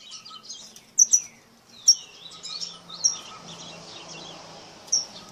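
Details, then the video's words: Batuqueiro singing in short bursts of high, sweeping whistled notes, some rising and some falling, spaced irregularly about a second apart, over a faint steady background hiss and a low hum. "PÁSSARO BATUQUEIRO"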